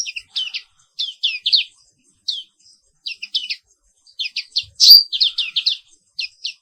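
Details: Morning song of a black-capped white-eye from Indonesia: rapid clusters of thin high chirps in quick bursts with brief pauses, plus one sharp louder whistle near the end.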